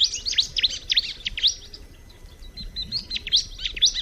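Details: Bar-winged prinia pouring out fast, shrill chirps, loud at the start, dipping briefly, then resuming with spaced sharp tweets to the end.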